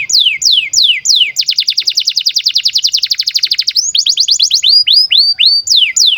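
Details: Canary in breeding condition singing a long song used as a tutor for young birds: a few slow descending whistles, then a fast rapid trill of about thirty notes, then looping rising-falling whistles repeated roughly every half second.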